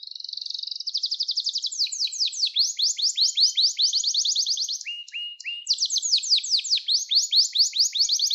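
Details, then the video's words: Singing Gloster canary, played to train and excite young canaries: a continuous high rapid trill of repeated clicking, downswept notes, briefly interrupted by lower flat tones before the fast rolling resumes. "Gloster Kanarya Sesi Ve Ötüşü"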